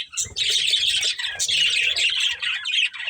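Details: Budgie breeding pair with loud continuous chattering and squawky chirps, a low hum faintly under the calls.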